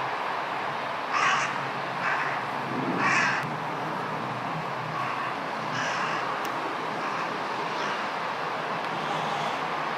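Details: Large-billed crows crowding and jostling to perch on the top of a tower, flying in one after another. Harsh, hoarse caws come every one to two seconds, some louder and some distant, over a steady broadband background roar.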